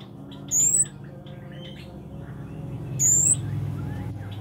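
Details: Scarlet-backed flowerpecker, a tiny bird singing actively, gives two very high, thin, sharp notes, each rising slightly and about two and a half seconds apart, over a steady low hum.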